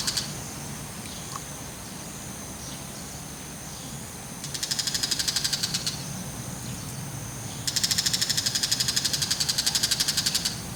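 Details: Bull-headed shrike holding a mantis in its beak, calling proudly while looking around; two loud bursts of rapid harsh chattering notes, about twelve per second, the second burst longer, over a steady high hiss.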